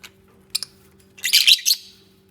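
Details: Bonding lovebirds chirping: a short double chirp, then a dense, bright burst of high twittering about a second long, over a faint steady hum.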